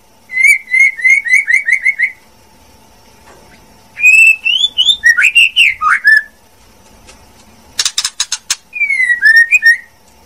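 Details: Female white-rumped shama song: a rapid run of repeated whistled notes, then looping slurred whistles, a burst of harsh rattling notes, and a final quick trill of falling whistles, over a faint steady hum.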